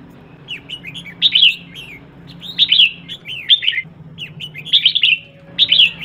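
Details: Female red-whiskered bulbul calling to stimulate males: short bursts of bright, warbling whistled notes sliding up and down, grouped in quick clusters separated by brief pauses, over a faint low steady hum.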